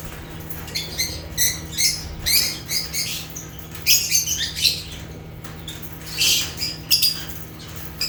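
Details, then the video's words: African lovebirds (Agapornis) chirping naturally: scattered bursts of shrill, scratchy high chirps in uneven clusters with short pauses between, over a steady low electrical hum. "Rare African Lovebirds (Agapornis) | Natural Chirping Sounds"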